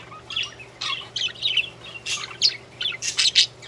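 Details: Several budgerigars singing, a dense run of rapid high chirps, squeaks and short scratchy notes, with a faint steady hum behind.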